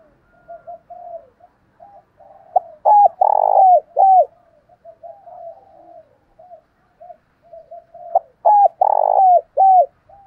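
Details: Spotted dove used as a decoy to call wild doves in, with a 'thổ đồng' style voice. Two loud coo phrases of clipped hooked notes around a long, rolling coo, separated by quiet, fluttering soft coos.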